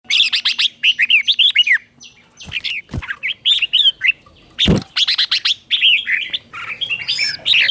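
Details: Red-whiskered bulbul teacher-bird song in the doubled 'bernl' style, played so young birds copy it: bursts of bright, warbled, down-slurred notes in quick phrases, with a few sharp loud clicks between phrases.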